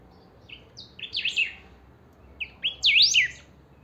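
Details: Two song phrases from a kept saffron finch of the pica style, about one and a half seconds apart, each a few short whistles leading into a fast zigzag of high sweeping notes.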